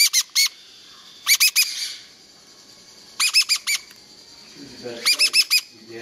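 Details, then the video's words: A 13-day-old Meyer's parrot chick gives short squeaky harmonic chirps in quick bursts of three to four, with pauses between bursts; faint low murmuring sounds near the end. "13 day old Baby Meyers Parrot"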